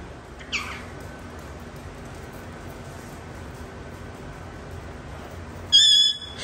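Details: A female Moluccan cockatoo yells at an African grey for messing with her cage: a brief shrill cry, then after about five quiet seconds a loud, harsh, ringing half-second scream, over low room hum.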